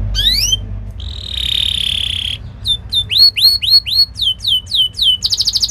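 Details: Canary song used to train young canaries: a rising whistle, a sustained buzzy note, then a series of sharp downswept chirps and a closing rapid trill.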